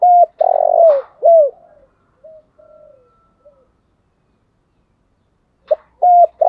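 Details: Spotted dove decoy bird calling in the morning: loud hollow coos, a short note, then a long throaty burr and a falling coo, followed by soft murmured notes and a fresh phrase near the end.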